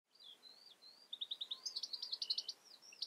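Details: European goldfinch calling: thin high slurred notes, then a quick run of bright tinkling twitters, over steady background hiss.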